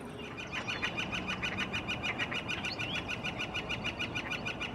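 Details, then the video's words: Northern flicker in spring, establishing a breeding territory. Males call loudly from the highest point of a tree. A rapid, steady series of loud, ringing notes repeats about three times a second throughout, over a soft background hiss. "Northern Flicker Woodpecker Territorial Call"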